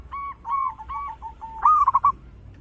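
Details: Local zebra dove with a loud voice used to attract other birds: three soft coos lead into a loud rolling, stuttering coo phrase.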